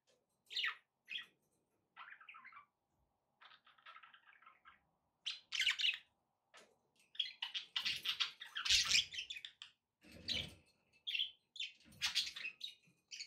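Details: Budgerigars chirping and warbling, sparse sharp notes at first, then a denser, louder stretch of scratchy chatter with a low rustling thump in the middle.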